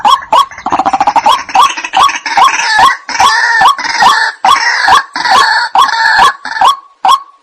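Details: White-breasted waterhen night lure call with overlapping voices: a rapid chatter, then loud, harsh, rhythmic nasal notes at about two per second, dense and layered, ending in a few clearer single notes.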